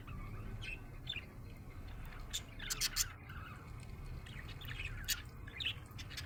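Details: Budgie sounding happy, giving scattered chirps, squeaks and short scratchy squawks, clustered loudest around the middle, with a continuous low hum behind.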